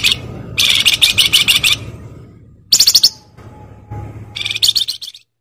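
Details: Well-kept flamboyan bird giving three separate bursts of quick, high, ringing chirps with quiet stretches between, a faint thin steady tone in the background.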